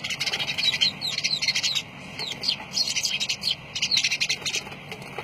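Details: Lovebirds chattering: a dense, busy stream of high, squeaky chirps and twitters, rising and falling in bursts over a low background rumble.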